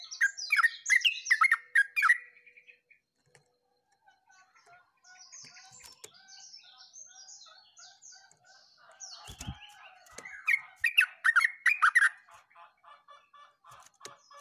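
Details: Yellow-vented bulbul singing actively, recorded 29 August 2024. Two spells of loud, rapid, bubbly, warbled notes frame a stretch of thin, high, repeated twittering, with a brief low thump midway.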